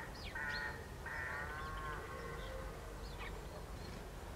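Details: House sparrow females in conflict, recorded at dawn on 5 December in the Limousin countryside, France: harsh chirping calls with short rising notes, a longer chattering burst near the middle, over steady low rumbling background noise.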